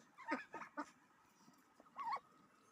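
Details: Pet duck calling after a bath at home: three quick nasal notes in a row, a brief pause, then one longer wavering call, in a quiet indoor setting.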